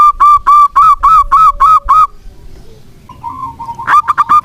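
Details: Zebra dove, a local bird in strong voice, kept as a lure to restart silent doves: a run of about nine rounded, ringing coos, a quiet stretch of soft low notes, then a fresh series begins.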